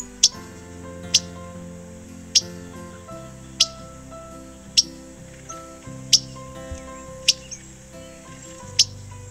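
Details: Painted Bunting calls played for comparison with Indigo Bunting calls: a steady series of about nine brief, piercing high chips, spaced roughly a second apart. Soft background music with shifting low chords runs throughout.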